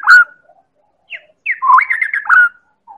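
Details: Lure song of a Medan-type white-rumped shama, used to prompt other birds to sing: a loud sharp whistle, brief pause, then rich warbled phrases with slurred rising and falling whistles, and a soft final note.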